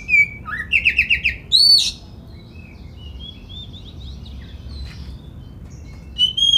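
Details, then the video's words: Persistently singing Oriental magpie-robin, a lure to prompt other males to sing fully and spread their tails: a bright whistle, a buzzy rapid trill and a sharp squeal, then a long faint quiet stretch before one last clear whistled phrase. "Pancingan Suara Kacer Gacor Agar Bongkar Isian! Buat Kacer Lain Ikut Ngobra Buka Ekor"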